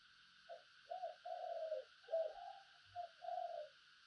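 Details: Spotted dove used as a decoy, cooing in the thúc and gáy gọi manner. A run of six low, soft coos, some long and falling, over a steady high buzzing background.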